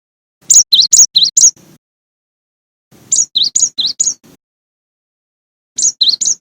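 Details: High, ringing whistled phrases from a cinereous tit, each of four to five quick notes alternating high and low, repeated in three bursts separated by silent gaps.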